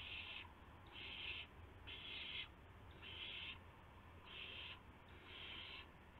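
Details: Owls at a nest in the first hour after midnight, 19 March 2016, during prey deliveries of a gopher and mice to two owlets; six harsh, breathy screeches, each about half a second, repeated roughly once a second over low hum.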